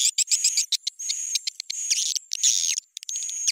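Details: Edible-nest swiftlet lure call for swiftlet farmers, edited with raised pitch and tempo and added sound character: dense bursts of high buzzy chirps with a thin steady whistled tone running through, broken by short gaps.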